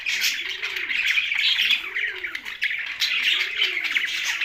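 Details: Budgerigars kept together with a parrot, Larkana, Sindh: dense, continuous high chirping and warbling chatter, with soft, low, arching cooing notes repeating roughly every one and a half seconds beneath.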